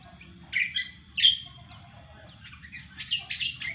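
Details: Varied cucak kombo song: a warbling phrase, then a loud ringing whistle, a drawn-out thin note and a closing flurry of rapid chirps, over a soft low hum.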